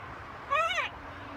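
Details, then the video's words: A single drawn-out macaw utterance of under half a second, rich in harmonics, rising slightly then falling, set against a quiet hum. "Macaw talking"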